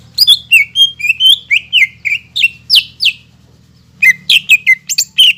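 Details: Lively greater green leafbird song meant to excite a caged bird that has stopped singing: a fast varied string of loud slurred whistles, a brief pause, then more sharp chirping phrases, with a faint low hum behind.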